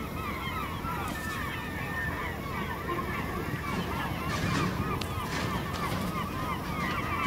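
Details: A dense flock of Steller's eiders at Vardø, Norway, on a cold, windless 5 April 2017 gives overlapping short nasal, croaking calls without pause, over a low rumble of sea and a distant murmur.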